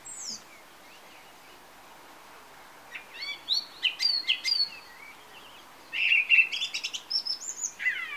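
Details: A song thrush perched on a TV aerial on a summer evening sings bright, varied phrases of whistles and sharp chirpy notes, separated by short pauses, over a steady hiss of background noise.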